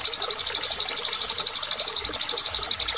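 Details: Eurasian tree sparrow fighting call: a fast, steady run of high, dry chirps, about eight a second, in an even chattering stream with no other sounds.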